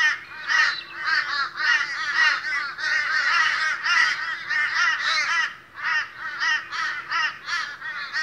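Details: Morning flock of boisterous Australian crows: harsh, drawn-out caws from many birds come in irregular pulses, swelling and easing, with a low steady hum beneath.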